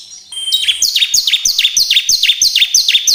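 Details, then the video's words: Bar-winged prinia song played to stimulate caged birds to sing: a thin high whistle followed by a long, even run of bright, downslurred chips, roughly three per second. "pancingan ciblek agar cepat bunyi"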